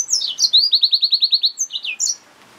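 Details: Song of a yellow-fronted canary mule, a hybrid finch: a few high slurred notes lead into a rhythmic trill of about nine evenly spaced chirps, ending with short whistles and quiet.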